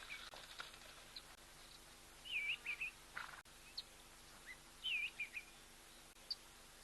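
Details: A flock of wattled starlings (Creatophora cinerea) drinking at an African waterhole on 7 July 2024, out of breeding plumage, giving thin, squeaky, wavering calls in short bursts every two to three seconds over a low hum.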